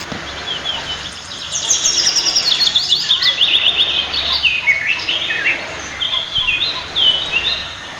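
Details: Pied fantail, known locally as maria capra, calling at its nest in a backyard garden in Marilao, Bulacan, Philippines. A lively series of high, squeaky whistled phrases that jump up and down, repeated for several seconds.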